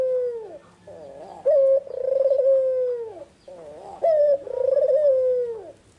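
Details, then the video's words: White, red-eyed Barbary dove in full song in the afternoon: soft wavering low notes lead into a bright clipped note and a long trilled coo that slowly sinks, heard twice, clear and sharp. "Suara burung puter putih mata merah full gacor-Nyanyian merdu di sore hari sangat tajam dan jernih"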